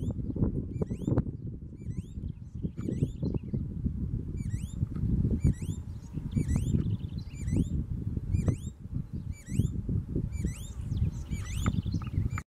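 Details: Green-backed Becard (Pachyramphus viridis) singing a lot: thin, high, sharply rising whistled notes repeated about once a second, over heavy low rumbling wind or handling noise.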